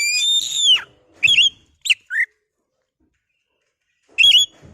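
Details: Oriental magpie-robin (kacer) singing, meant to rouse birds into song: a long, rich, descending whistle opens, then brief whistled and slurred notes, a long pause, and a final sharp phrase.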